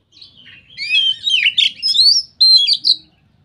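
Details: White-rumped shama singing in the energetic ngeplong style said to set other shamas singing: a rich run of clear whistles and rapid slurred warbles, rising and falling phrases delivered over about three seconds against a silent background.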